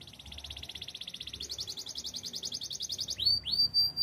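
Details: Spanish Timbrado canary singing for training: an even rapid trill steps up in pitch and continues, then ends in two loud upswept, arching notes.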